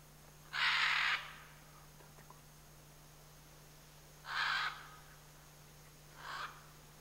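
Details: Pair of scarlet macaws in the Chiquibul area calling with three harsh, grating squawks spaced several seconds apart, the first longest and loudest, the last shorter and weaker; a faint steady hum lies beneath.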